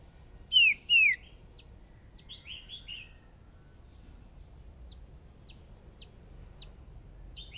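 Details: Hwamei decoy bird brought out for its first practice in a small singing contest: two loud, clear downslurred whistles, then a steady run of quieter hooked notes repeated about two or three times a second.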